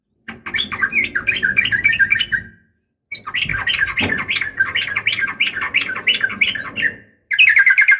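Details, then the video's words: Female sooty-headed bulbul calling to provoke males into responding; bursts of rapid, bubbly chattering chirps last a few seconds each, separated by brief silences. "trucukan gacor SUARA UPLIK TARUNG ini AMPUH bikin burung trucuk gacor NYAUT EMOSI SEKETIKA"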